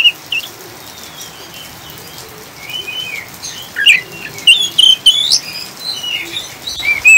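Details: Oriental magpie-robin singing the chattering 'ngriwik' style over rain, used to calm and encourage caged birds: scattered thin whistles at first, building into quick bright chips and warbled phrases, over constant faint hiss.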